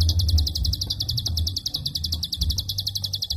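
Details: Prinia klik call, long and tightly packed, recorded as a master for songbird training: a fast run of sharp, high ticking notes with no break throughout, over a low rumbling background hum.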